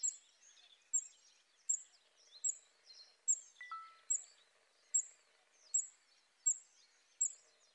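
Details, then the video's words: Western yellow wagtails at Lake Drużno, Poland; sharp high call notes repeated about every 0.8 seconds, with softer twittering and chattering from other birds underneath and one brief whistled note midway. "Pliszki żółte (Motacilla flava )"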